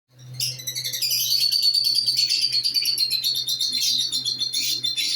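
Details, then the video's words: A newly placed pair of lovebirds giving a continuous stream of high, shrill chirps and twitters that rise in intensity and keep going without a break, over a faint steady low hum. "love birds k new pair lagay"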